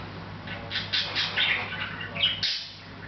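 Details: Hahn's macaw at home, chatting quietly without noticing the camera: a cluster of short rasping squawks and bright chirps packed into two seconds, then a brief pause, low hum throughout.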